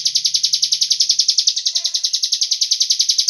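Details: Lure recording of a cigun bird meant to set other birds singing: one steady, rapid, high-pitched rattling trill of evenly spaced pulses, running unbroken throughout, with a faint low hum at the start.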